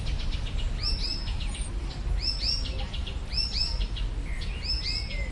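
Icterine warbler singing a fast, varied run of slurred whistles and sharp chirps, phrases repeating about every second, over a steady low rumble.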